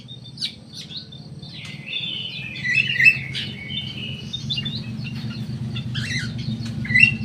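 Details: Black-naped oriole kept in an aviary in Indonesia: clear whistled and slurred phrases around the upper-middle range, with a few sharp chirps spaced through the recording over a steady low hum.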